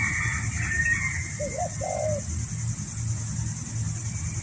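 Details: A spotted dove, nodding as it calls in a yard, gives a brief pair of soft, low coos over a steady rumble.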